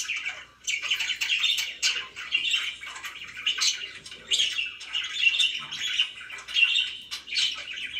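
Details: Budgerigars chattering in a room, repeated bursts of scratchy, buzzy chirps and high squeaks roughly every second, lively and continuous.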